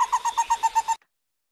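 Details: The mournful call of Stresemann's Bristlefront, a Brazilian Atlantic-rainforest bird rediscovered after about 52 years: a quick run of about eight clear whistled notes, evenly paced and drifting slightly lower, all within one second.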